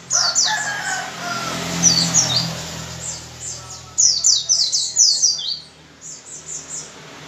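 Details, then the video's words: Strong white-eye 'gacor' singing, used to encourage other white-eyes to sing. High slurred falling whistles come in scattered bursts, then a fast loud cluster, with a hissing backdrop throughout. "PLECI GACOR dengan cepat membuat pleci ngalas dan pleci buka paruh"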